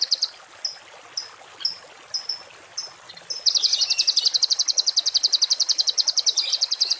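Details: Songbird recorded as a masteran tutor track with rough 'tembakan kasar' song phrases for cage birds. Sparse high chirps about every half second, then a fast, harsh rattling trill of high repeated notes in a dense run.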